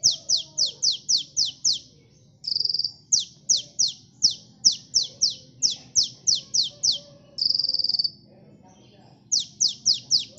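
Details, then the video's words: Sunbird lure song: rapid runs of high, falling chips, about three to four a second, broken twice by a brief buzzy high trill before the chipping resumes. "Suara burung KOLIBRI gacor ampuh pikat bunyi bahan ombyokan"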